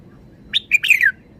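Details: A single brisk phrase from a red-whiskered bulbul: three quick bright notes, then a liquid, downslurred whistle. The background is quiet.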